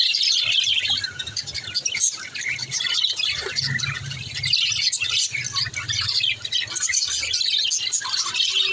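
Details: Budgerigars chattering to one another in a steady high warble of overlapping chirps, squeaks and short whistles, with a brief low buzzy note near the middle and a faint hum below.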